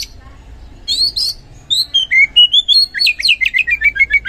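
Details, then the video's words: Oriental magpie-robin pouring out loud 'gacor ngeplong' song as a lure for silent magpie-robins: high chirps give way to a fast, steady string of clear whistled notes sliding downward, about four per second. "Super Ampuh Pancingan Kacer Gacor Ngeplong | Cocok Buat Memancing Kacer Yang Malas Bunyi Auto Respon"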